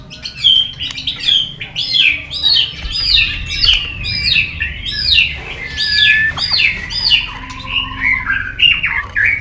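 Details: Competition song of an excited White-rumped shama, tail flicking and bobbing on its perch: a dense, rapid stream of varied whistled and warbled phrases, repeated bursts roughly twice a second, with a lower steady whistle running underneath.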